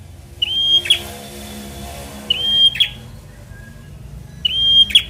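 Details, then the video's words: Semi-young fighter-type Bar-winged prinia, used to provoke lazy birds into singing: a thin, steady high whistle held about half a second, ending in a sharp downward chip, repeated roughly every two seconds over a quiet low hum. "Prenjak Semi Muda fighter || Rangsang bunyi burung Malas bunyu"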